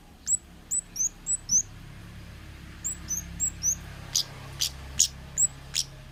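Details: Orange-headed thrush, a wild forest bird, used as a lure recording. Short, high down-slurred notes repeat in a steady row, about two per second, followed by several sharp, clicky ticks over quiet low hum.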